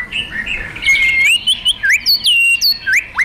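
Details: White-rumped shama of fighter type giving kretekan and tembakan to stir another bird: long slurred whistles sliding up and down, then a quick series of sharp upward-swept notes repeated about every quarter second, loud and clear.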